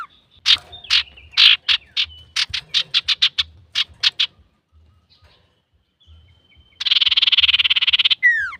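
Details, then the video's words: Male common iora singing as a lure: a rapid series of sharp clicking chips repeated about four per second, quiet gap, then a long harsh buzzy rattle ending in a downslurred whistle. "SUARA BURUNG CIPOH SIRTU GACOR COCOK UNTUK PANCINGAN"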